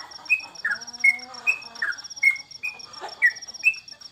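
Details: Trucukan, or sooty-headed bulbul, at home during the COVID-era pause in bird contests. Clean whistled notes, several falling in pitch, recur about every half second, with a faint lower tone and steady high ticking behind.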